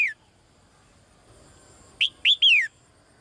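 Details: A female bird calling to the male: one falling note at the start, then after a pause three quick high chirps, the last sliding downward.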